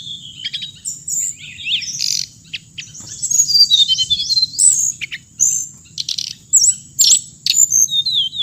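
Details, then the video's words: Bird pouring out a fast, varied high-pitched twittering song of chirps, trills and swooping whistles, pausing briefly between phrases, with a continuous faint high hum behind. "suab noog txiv leev lau2 tiếng chim hồng hạnh"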